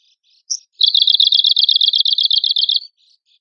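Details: Arctic warbler trill from contest-training material: a crisp high note, a brief pause, then a rapid dry rattle of even buzzy notes lasting around two seconds, with faint soft notes around it.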